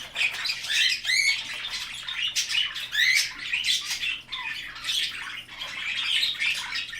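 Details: Several budgerigars being introduced to a male king parrot and a superb parrot give continuous warbling: dense chatter of scratchy chirps and short rising whistles, with a person speaking faintly.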